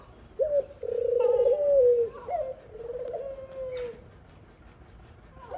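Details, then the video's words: Khumra dove mother feeding her young: one drawn-out, low, quavering coo of about three and a half seconds, steady at first, then dipping and fading, with faint chirps near its end. "Khumra bird mother feeding her baby | khumra birds voice | dove birds sound"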